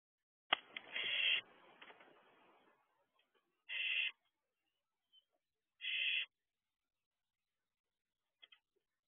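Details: Owlets of the barn owl perched on the nest-box roof at 3:11 am on 2 June 2023. A loud scratchy hiss with a noisy rustle opens, then two shorter breathy hisses follow a couple of seconds apart.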